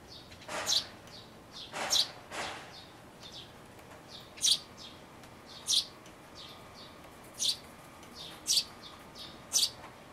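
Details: Young sparrows close to fledging, calling from inside a birdhouse on 12 May 2012, recorded with an Everio camera. High, sharp chirps come singly or in short pairs at irregular intervals, about one every second, with faint room hiss between them.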